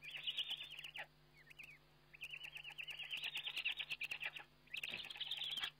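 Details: Webcam recording of a Eurasian eagle-owl feeding on 29 May 2011, with long runs of high, rapid, chattering and wavering calls, a brief pause, then another extended burst, mixed with scratchy clicks and a low electrical hum.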